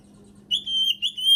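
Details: Brief snatch of Oriental magpie-robin (kacer) song used to trigger quiet birds to sing: two or three clear, high, drawn-out whistles over a steady low hum.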